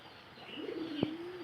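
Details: A native pigeon delivers one low, steady, drawn-out coo lasting under a second, broken by a brief sharp click, over a hissy background.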